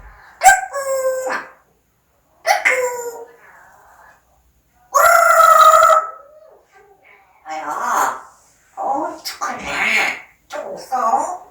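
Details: Pet parrot talking indoors: several short, harmonic, voice-like phrases mimicking speech, separated by pauses, with a louder drawn-out utterance in the middle and a run of quick syllables toward the end.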